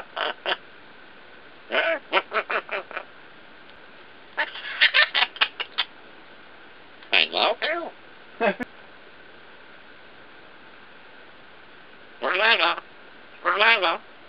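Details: Female pet African grey parrot, one and a half years old, talking and mimicking words: several bursts of harmonic, speech-like chatter in short phrases separated by pauses of a second or more, over a faint steady hum.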